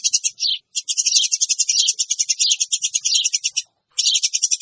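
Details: Eurasian tree sparrows chatter loudly as a lure. A nearly continuous stream of rapid, overlapping chirps is broken by two brief pauses.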